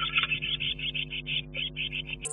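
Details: A male Great Tit gives a quick run of short, bright chipping notes, about five a second, over a steady low electrical hum. It happens in spring (late March–April) while he coaxes the female to inspect a nest box.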